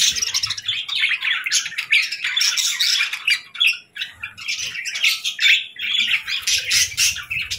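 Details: Nonstop squeaky chatter and scratchy chirps from several small birds, rising and falling in quick bursts, in what sounds like a small indoor room.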